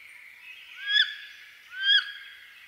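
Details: Eastern North American wood duck calls twice, each a ringing, rising squeal about a second apart, with softer twittering from other birds running underneath.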